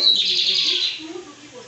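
A lined seedeater gives a rapid, high, buzzy twitter that fades after about a second and a half, with faint talking underneath.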